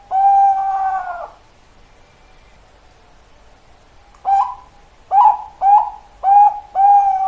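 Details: Zebra dove of the Bangkok perkutut type singing: one long, slightly wavering mid-pitched coo, a pause, then a phrase of short clipped coo notes that speeds up and ends in a longer drawn-out coo.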